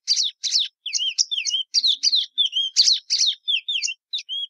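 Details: Plumbeous seedeater (Sporophila plumbea) delivering a lively song of repeated chirpy phrases, each pairing a sharp chip with a short slurred whistle, in a steady quick rhythm.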